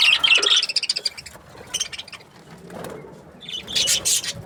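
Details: Budgerigars from breeding pairs chirp in quick, bright bursts that are dense at first, then thin out into scattered high chirps and a short rustle before a final loud cluster.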